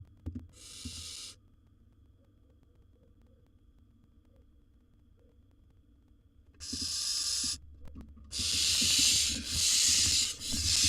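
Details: Wild barn owl nestling in a monitored nest box, after a sibling tried to steal its bird prey: a short harsh hiss near the start, a quiet gap, then longer rasping hisses over the final four seconds, with faint scratching underneath.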